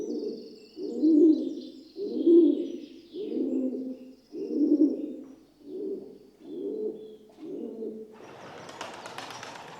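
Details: Rock dove, known as the pigeon, repeating deep, soft coos about every second for eight beats, ending in a short burst of rustling noise.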